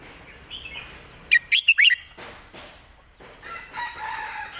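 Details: Red-whiskered bulbul delivering a 'mae bot' master-song phrase: four sharp, ringing whistled notes in quick succession, then rustling noises and a softer distant warble.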